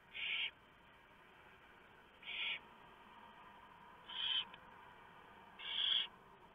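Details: Barn owls in a nest box at night as the male drops off a huge mouse for the owlets; four rasping hisses spaced about two seconds apart, over a quiet humming background.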